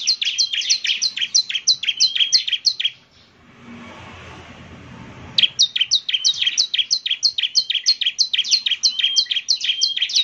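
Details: Bar-winged prinia in full song, meant to draw a reply from other prinias: rapid, steady series of high, bright chirps at about three per second. The run breaks for two seconds of quiet, then resumes.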